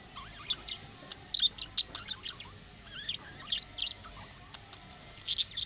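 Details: Budgerigar chirps imitating young birds' calls so that other budgerigars answer: spaced bright chirps and soft sliding whistles, in loose bursts.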